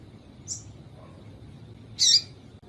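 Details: Female yellow-bellied seedeater call, used to excite males and set them singing: two brief, very high thin chirps, a faint one early and a louder, sharper one near the end, over quiet low background hum.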